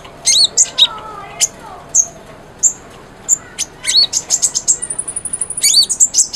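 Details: Sunbird known as konin, singing energetically on a recording meant to trigger a mute bird to sing: spaced sharp high chips, then a quickening run of rapid twittering notes ending in a thin sustained whistle.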